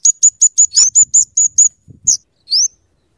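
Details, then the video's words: A singing scarlet-headed flowerpecker (kemade), used as a lure and tutor bird, gives a fast row of about nine high, evenly spaced ticks, then two separate rising squeaky notes. Soft low rustling is heard underneath. "suara burung kemade atau cabe cabean gacor cocok untuk pikat dan Masteran"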